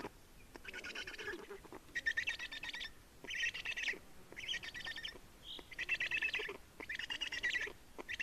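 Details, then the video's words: Black storks at a nest in Estonia during changeover and feeding, 30 May 2019, mid-afternoon; six rasping pulsed bursts of about a second each at a steady pace, with a brief whistled note among them. "Estonian Black Storks - Change and feeding"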